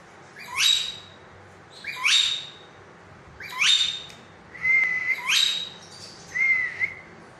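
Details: Green rose-ringed parakeet speaking: six sharp upward-swept squawky syllables about every 1.5 seconds, the later ones followed by steady whistled tones, against a quiet low hum.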